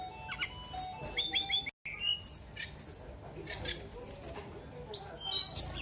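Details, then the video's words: Flowerpecker singing actively: very high, thin chirps and rapid ticking trills, with short sharp notes repeated in quick bursts and a brief silent gap midway; faint low background rumble. "Burung Tledekan Gacor"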